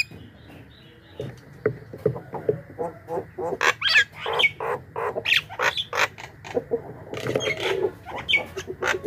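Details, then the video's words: Javan myna recording used as a lure to attract wild mynas: a dense run of harsh squawks, clicks and chattering notes that grows busier after the first second, with a steady low hum underneath. "suara burung pikat jalak kebo gacor"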